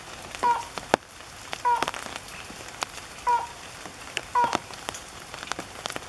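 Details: Slaty-legged crake at Goncoi, Aldona, Goa, India, on 10 July 2014, giving four short, nasal, mid-pitched notes about a second apart over the patter of rain.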